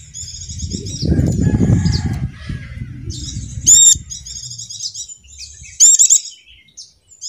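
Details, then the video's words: Javan dakun white-eye lure to prompt silent caged birds to sing: soft high twittering runs with two sharp, bright chip bursts, over a muffled low rustling and rumble. "pleci macet akan ikut bunyi dengar pancingan ini | pleci dakun jawa"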